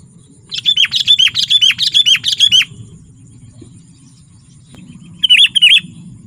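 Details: Sooty-headed bulbul in vigorous song, used to lure wild bulbuls and to tutor captive birds: a fast run of about ten bright, bubbly chirps over two seconds, a pause, then a shorter burst of three notes.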